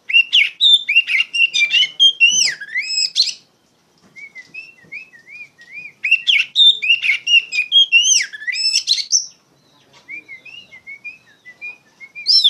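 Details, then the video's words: Oriental magpie-robin song used to train other songbirds: loud bursts of varied sharp, rapid whistled and scratchy phrases sweeping up and down, alternating with quieter runs of short rising whistles, twice in the span. "PANCINGAN KACER NGEPLONG GACOR SUARA LANTANG COCOK UNTUK MASTERIN POCI BAHAN"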